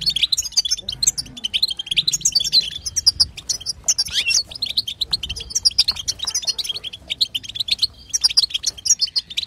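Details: Female European goldfinch betbeta calls, played to get a silent male to sing. Continuous, rapid, high chattering twitters run almost without a break, with a faint low hum in the background.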